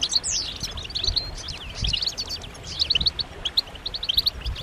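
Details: Several European goldfinches calling together, with mating and readiness calls meant to stimulate males to sing: soft, high, tinkling twitters and quick chirps in loose bursts over faint background noise.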